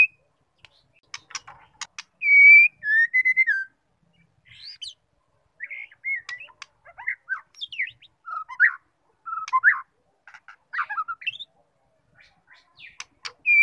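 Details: White-rumped shama, female voice used to rouse a male to sing: varied whistled notes and short chirps scattered over the stretch, with clicks between phrases and a loud whistled burst near the start.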